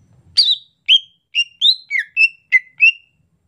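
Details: Greater green leafbird in the rainy season, singing a soft 'ocehan lemas' chatter: eight separate whistled notes, some sliding down and others flat, delivered at uneven intervals in a clean, quiet recording.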